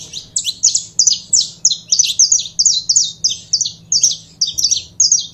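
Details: Saffron finch, known in Brazil as canário-da-terra, singing a rapid, continuous run of sharp high chirps and short slurred notes, tightly packed and repeated without pause, with a faint low hum underneath.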